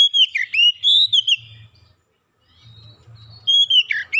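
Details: Oriental magpie-robin song used as a lure to get birds singing: a fluid whistled phrase of rising and falling slurs, silence of about two seconds, then another bright whistled burst, faint low hum.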